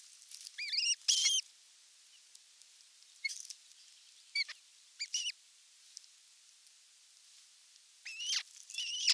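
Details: Osprey nest at evening feeding, 30 June 2022, recorded by a nest camera: bursts of high, ringing whistles, a loud cluster early, then scattered single and double cheeps, rising again at the end.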